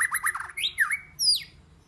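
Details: A white-rumped shama gives a rapid stutter of buzzy notes, two swooping slurs, then a single high, falling whistle.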